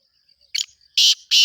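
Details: Part of a black francolin's breeding-season call: a short crackling note followed by two loud, harsh, buzzy bursts separated by a brief gap, in a quiet setting.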